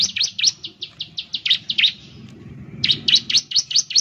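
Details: Rapid high chirping of a Bar-winged Prinia (ciblek) lure meant to trigger song: a brisk string of about ten bright notes, a short gap with low murmur, then another fast run of chirps.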